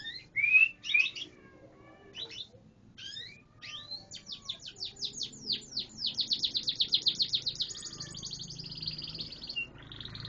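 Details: Canary song mixing sharp rising whistles and scattered chirps, building into a long, fast run of descending sweeps that speeds into a rolling trill before fading to a thin high note.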